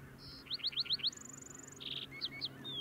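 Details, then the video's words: Singing male lark sparrow, Antelope Island, Utah, 6-08-2022, female bringing food: a brief buzz, a run of five slurred chips, a long high trill, a low burry buzz, then separate notes and a falling whistle. "Lark Sparrow Song"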